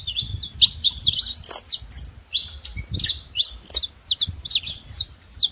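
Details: Wild, free-living saffron finch delivering song in short bursts of rapid, high sweeping chirps, two phrases separated by a brief pause, over faint low background rumble.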